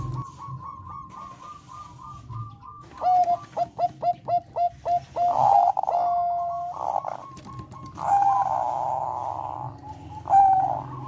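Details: Bangkok-type zebra dove, a melodious song said to raise breeding drive in other doves: soft repeated coos, then a loud run of rapid staccato notes and longer rolling trilled phrases, over low background hum.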